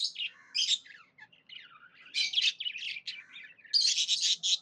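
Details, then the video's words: Happy chirping from a budgerigar: fast, buzzy, warbling chatter with harsh scratchy notes, nearly continuous and growing louder toward the end. "Happy budgie chirping sounds"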